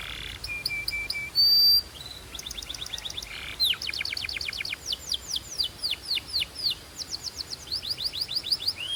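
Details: Belgian canary singing: a brief steady whistle, then rapid rolling trills and series of high, sweeping, repeated notes delivered quickly in changing tours, steady background hiss.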